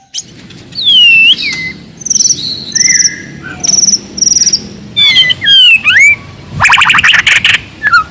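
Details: White-rumped shama of the forest in loud, aggressive song to provoke a rival: high descending whistles, repeated level high notes, swooping slurs, and a closing rapid buzzy rattle of clicks.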